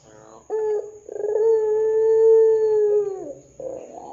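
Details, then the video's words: Ringneck dove calling vigorously as a lure for other doves: a brief flicked note, then a trilled opening swelling into a long steady low coo that dips at the end, followed by a rougher burst. "Pancingan Suara Burung Puter Gacor Dor 100% Cocok Bikin Puter Lain IKUTAN BUNYI"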